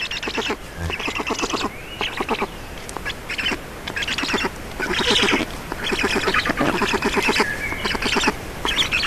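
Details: Black storks feeding at their nest in Estonia, 18:07 on 4 June 2019; a steady series of grating, buzzy pulse trains, roughly one per second, with a few brief rising whistled notes between them.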